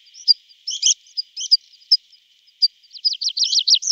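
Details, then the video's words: Tree pipit in summer, opening with isolated high chips and clicks before breaking into a short rapid series of repeated descending notes. "Prispolone canto richiamo"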